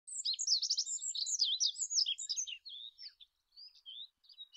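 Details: Olive-backed pipit song: a rapid, dense jumble of high, thin twittering and slurred notes for over two seconds, then fainter scattered high chirps with short pauses.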